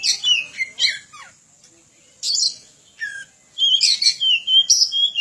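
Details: Lively Oriental magpie-robin song recorded as a tutor for other birds: harsh, crackling bursts alternate with sweet descending whistles, ending in a fast run of bright notes roughly two per second.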